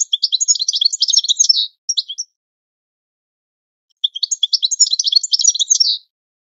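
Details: Goldfinch singing a training song meant for birds to learn from: two long phrases of fast, liquid twittering and jingling notes, each about two seconds, separated by a quiet pause.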